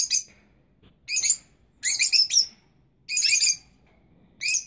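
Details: Rosy-faced lovebird chirping, young birds and parents at the nest incubating: loud, rasping high chirps in bursts roughly every second, several run together in pairs or triplets.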